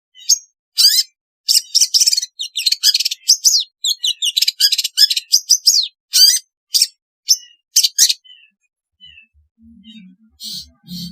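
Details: Long-tailed shrike in full, busy song meant to prompt idle shrikes to sing: dense runs of scratchy, chattering high notes and quick whistles for eight seconds, then a few soft calls and a low hum.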